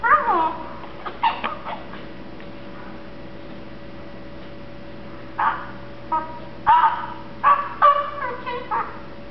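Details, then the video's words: One-year-old male pet Eclectus parrot, contented and growing sleepy, utters scattered short mumbled syllables and brief whistled squeaks, clustering more densely toward the end. "the Mumbling Eclectus Parrot"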